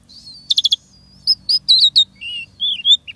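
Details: Asian pied starling song in a fast mimicking style: a thin whistle, a quick clicking rattle, then a string of short chirps and rising whistled notes, all high-pitched, over a faint low hum.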